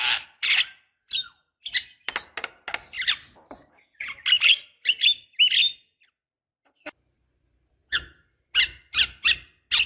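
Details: Javan myna female calling a male to prompt him into song: scratchy high chatter with squeaky whistled notes in irregular clusters, brief pauses between bursts, and a final string of sharp clicks.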